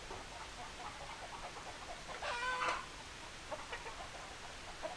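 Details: Chickens: a single strident, harmonic half-second squawk rises out of soft scattered clucking, with a steady background hiss throughout.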